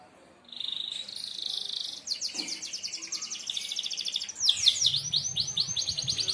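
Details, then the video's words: Merlok canary song in the sharp 'tembakan tajam' style, played for training other birds: a held buzzy high note, then fast rattling trills and swooping whistled figures; faint low rumble in the background. "tembakan tajam kenari merlok"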